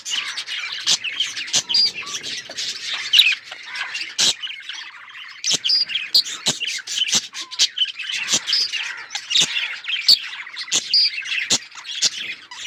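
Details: Chattering flock of colourful budgerigars: busy warbling chirps and short squawks layered together, punctuated by frequent sharp clicks, steady in loudness across the recording.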